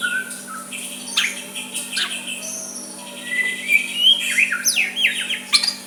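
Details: White-rumped shama giving a soft song meant to provoke a rival into replying, with varied whistled notes, rising and falling slurs and quick chirps over a steady low hum.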